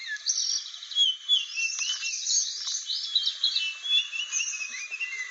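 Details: Protected, increasingly rare blue flycatcher from Aceh in a lively, continuous song. Quick chirps and tumbling high twitters mix with brief clear whistles, the phrases running on without pause.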